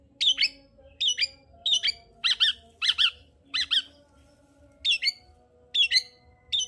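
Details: Long-tailed shrike song to provoke a quiet bird into singing: harsh, scratchy double phrases in clusters, a gap of about a second, then more of the same chattering bursts.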